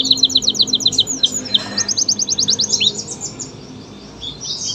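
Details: Energetic canary, local or AF/AFS type, delivering quick clipped high notes and short sweeping whistles, fading toward the end against low background noise.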